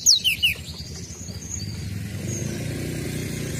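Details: Sunda robin lure call: a quick run of three high, thin whistled notes, each sliding steeply downward, packed into the first half second, then only faint high traces over a steady low rumble of passing vehicles.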